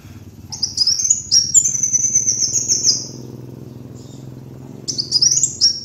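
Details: Kolibri wulung sunbird on a lure recording: a jumble of thin high chirps leading into a long sustained twittering phrase, a quiet gap, then another quick burst of sharp notes over a low background hum.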